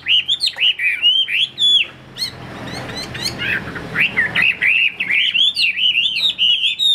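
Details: Chinese hwamei sold as a caged songbird sings rapid, bouncing whistles, drops to a quieter noisy patch for about two seconds, then returns with a fast string of rolling notes.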